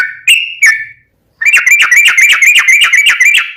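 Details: Yellow-vented bulbul in energetic song with a long rolling trill, used as a lure to make other bulbuls sing: two drawn whistles, a short pause, then a rapid chattering run of bubbly notes.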